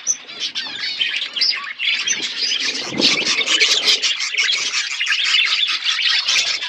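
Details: Outdoor aviary flock of budgerigars feeding on seeds; a steady wall of high twittering, chirps and scratchy warbles, with a low rustle around the middle.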